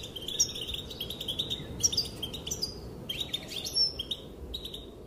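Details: Calls of the female goldfinch that make males dance: high, bright twittering with quick chirps in loose bursts, a short pause near the middle, over a low steady background hiss.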